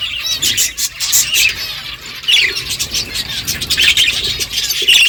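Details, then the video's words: Budgerigars eating and chirping, with dense, overlapping high chirps and twittering notes running throughout. Occasional short broadband clicks and rustles, possibly from seed eating, are mixed in. "Beautiful budgies colour eating and chirping sounds"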